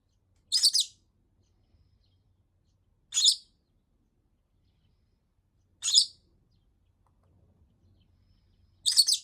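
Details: Rosy-faced lovebird at home calling on and on in protest at a week without play; four shrill, buzzy chirps arrive about every two and a half to three seconds, with faint low rumble between.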